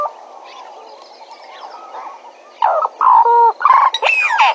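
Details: Bennett's woodpecker at Djuma: after faint soft notes and insect hum, a sudden loud series of nasal, buzzy calls, several flat held notes, then squealing slurred notes at the end.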